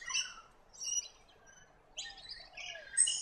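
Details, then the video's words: Scaly-breasted lorikeets, flock birds of Australia's east coast, uttering short shrill screeches in separate bursts about every second, with a faint low whistle between them. "Scaly-breasted Lorikeet"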